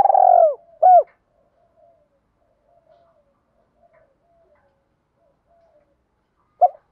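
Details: Spotted dove giving a fight-provoking call meant to draw two young birds back. A long vibrating falling coo and one short arched note open the clip, followed by near silence and a final brief note.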